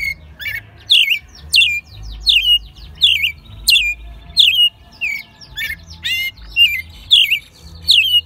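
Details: Caged American robin, raised since it was a chick, singing at full volume in Mexico City in March 2020; repeated squeaky, rising-and-falling whistled phrases about every 0.7 seconds, with a slightly harsh, rough quality.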